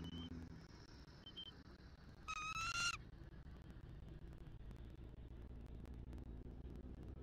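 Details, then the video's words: Southwest Florida bald eagle pair at the nest, 6 November 2023, nest camera: the female calls to the male for a shift change. One loud, ringing, harmonic piping burst lasting under a second, faint whistles before it and steady background hum. "F23 CALLS OUT! 🦅📢 MR. MOM RESPONDS!"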